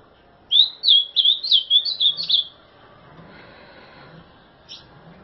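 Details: 'Terrorista' azulão singing a brisk phrase of around eight slurred, whistled notes in quick succession, followed by quiet with faint background noise and a single short note near the end.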